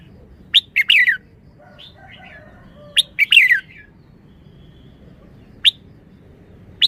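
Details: A red-whiskered bulbul repeats a crisp phrase of clipped notes sliding downward into a slurred warble, twice in quick order. Faint softer chattering fills the gap, and lone sharp chips follow.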